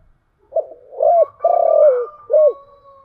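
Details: Spotted dove with a thổ chiêu gù cooing voice: a low cooing phrase of three or four hooting notes around a steady pitch, the middle note long and slightly falling, with a fainter hum trailing after.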